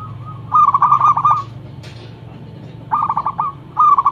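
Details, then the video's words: Local zebra dove in full voice, a loud lure song to draw replies from other doves: rhythmic bursts of fast bubbling trilled cooing, three phrases separated by short pauses, over low background rumble. "Perkutut lokal gacor mental bagus suara NYARING pikat super"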